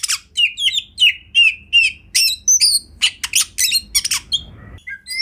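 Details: Kacer singing master song for training, a series of slurred, whistled phrases repeated rapidly, followed by sharp chips and harsh notes, ending in softer whistles.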